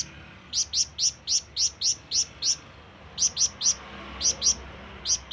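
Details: Flamboyan bird calling for companions or rivals. A string of eight crisp, high chirps at a steady pace is followed by shorter groups of three, two and one.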